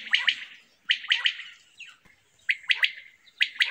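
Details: Common quail song from a summer meadow: crisp, ringing triple-note phrases delivered in quick succession, about one phrase every second, with no other clear sounds.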